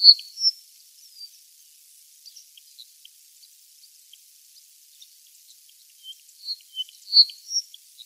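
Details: Forest wagtail on Yonaguni Island, unusually climbing and walking along tree branches, gives sharp, high, thin chips: a few at the start and a quicker run of three or four near the end, over a quiet background.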